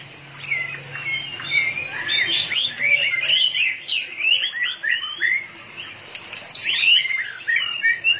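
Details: White-rumped shama in fired-up condition, flicking its tail, pouring out a dense, rapid stream of twittering and whistled notes with scratchy chirps, nearly continuous, a low hum early on.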